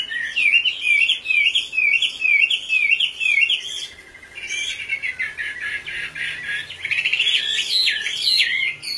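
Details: Oriental magpie-robin song opening with a regular chain of looping whistled notes, then shifting to a dense, buzzy, scratchy warble that runs on continuously.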